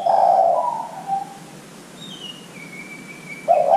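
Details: Spotted dove lure song to make young doves call: a low, grainy coo fading into a softer tail, a pause with faint high thin whistles from other birds, then another coo beginning.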